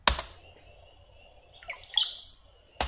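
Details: Brown-headed cowbird (Molothrus ater), song.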